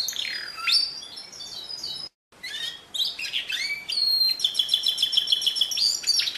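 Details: Canary delivering pure song, 2016: sweeping slurred notes, a short silent gap, then fast buzzy phrases and a long even rattle-like trill of repeated notes.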